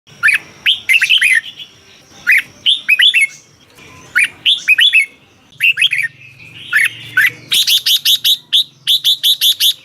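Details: Red-whiskered bulbul song from Thailand, played to excite caged birds: loud short phrases of rich whistled notes around 2–4k, bursts of several quick looping syllables repeated with brief pauses, later a run of rapid sharp chirps; a steady high tone hums behind.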